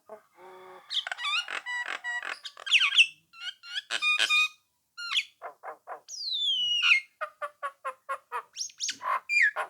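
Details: Rival-provoking song of a Nias hill myna: a low nasal opening, a jumble of bright whistles and clicks, a long sliding whistle falling from high to mid pitch, then clipped repeated notes.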